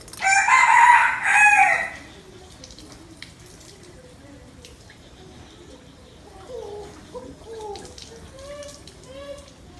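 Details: Spotted dove cooing to excite males. A rooster crows loudly over the first two seconds, then a run of soft, low, hooting coo notes follows, about half a second apart, against faint background hiss.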